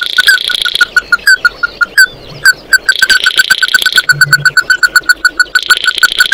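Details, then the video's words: Oriental white-eye calling its flock with a long, fast string of sharp chips, about two per second or more, interleaved with three stretches of harsh buzzy trilling. "Tiếng kêu của chim Tí Hỉ, Chim Mắt Đỏ hót gọi bầy"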